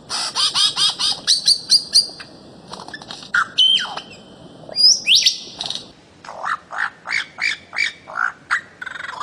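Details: Bird-of-paradise from Papua and the Aru Islands, used as a master song for pet birds: rapid repeated bright notes, then long whistled sweeps, ending with a steady run of evenly spaced squawky calls.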